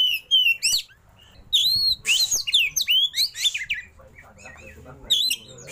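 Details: Oriental magpie-robin in 'roll tembak' song with rich 'isian' fill-ins and an opened tail. Bursts of loud slurred whistles and harsh rasping notes come in quick runs, then pause before a final phrase.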